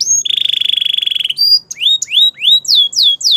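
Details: Morning song of a Belgian canary: an even rattling trill of rapid pulses followed by clear rising whistles and looping high slurs repeated about twice per second.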